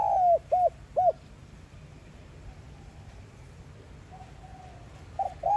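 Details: Spotted dove in the 'giọng son' voice, calling to stimulate decoy birds: a string of short hooked coos at the start, a long quiet gap, then more coos beginning at the end.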